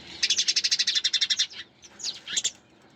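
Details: A fast, even rattle of about a dozen quick, high sparrow chirps fills the first second and a half, followed by a few scattered sharp chirps.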